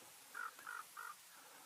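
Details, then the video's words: Common quail gives three short, liquid notes in quick even rhythm, about one every third of a second, over faint hiss; this is the winter-season call used to catch quail. "Common Quail Hunting Sound Batair Ki Awaz سردیوں کے موسم میں بٹیر پکڑنے والی آواز"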